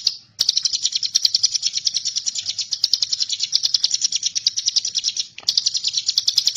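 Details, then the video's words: Bar-winged prinia (ciblek gunung) giving a long, unbroken stream of high, sharp chip notes at a fast steady rate, pausing once briefly before continuing; a master song for training magpie-robins. "Suara ciblek gunung"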